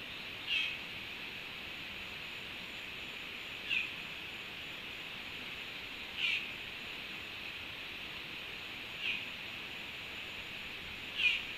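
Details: Black-chested jay (Cyanocorax affinis) gives five short, sharp, high calls, one every two to three seconds, over a steady high insect-like hiss. A flock was visiting a Panama fruit feeder to eat oranges on 3 August 2021.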